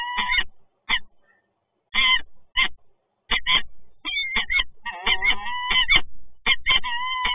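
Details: Peregrine falcons, the resident birds at PGE Toruń, Poland, meeting on 26 August 2022, giving loud, grating, drawn-out cries in clustered bursts that grow denser and more continuous toward the end.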